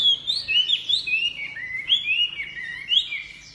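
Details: Chinese hwamei song of loud, fluid whistled phrases, slurred up and down and run together with barely a pause, over a faint low hum.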